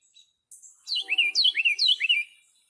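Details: Carolina wren, a tiny backyard bird that often nests around humans, gives three quick, loud, rolling phrases, each a bright downward-then-upward slur, repeated about twice a second.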